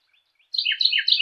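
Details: Carolina wren singing a clear song: a brief burst of about three rapid, rolling two-part whistled phrases, each dropping in pitch, on a silent background.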